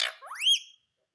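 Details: Green pet parrot giving one brief rising whistle that slides up and holds a clear high note before stopping, followed by silence.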